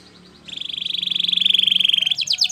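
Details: Canary, Spanish Timbrado style training song, singing a fast metallic rolled trill repeated about fifteen times a second for over a second and a half, then breaking into higher clipped notes.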